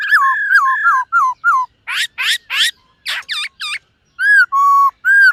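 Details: Black-throated laughingthrush singing and dancing during morning voice practice: a quick run of repeated whistled slurs, then buzzy rasping bursts, ringing downslurred notes and clear level whistles, with short silent gaps between phrases.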